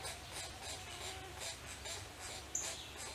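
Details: Pileated Woodpecker chicks in their nest cavity in Eastern Ontario forest, June 2019, begging to be fed, give soft, raspy, hissing bursts, about three each second, in a quiet, steady rhythm with a faint background hum.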